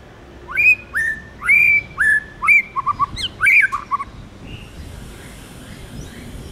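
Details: Tamed white-rumped shama singing in forest style: a run of loud whistled notes, several sliding down then holding flat, followed by quicker twisting chirps before the song fades into quiet background hiss.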